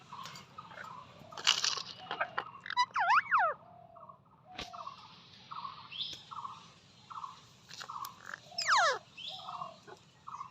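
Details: Indian ringneck parakeet talking in a few bursts of swooping, arched vocal phrases, set against a steady background of short repeated notes from another bird and a low hum.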